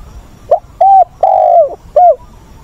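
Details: Spotted dove used as a decoy to train wild-caught doves, recorded 20 August. A single close, loud phrase: a soft short lead note, a hollow coo, a long sustained coo curving downward, then a short final coo.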